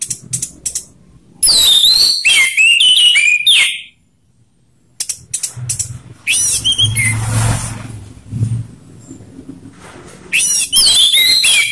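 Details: Orange-headed thrush song used to stimulate caged thrushes: several dense bursts of mimicry-like whistles, chatters and slurred notes with gaps, and faint low background rumble.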